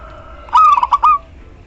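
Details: Local female zebra dove calling to a male, used as a lure for silent birds; one brief cooing phrase of a drawn note followed by four quick pulsed coos, over quiet background noise.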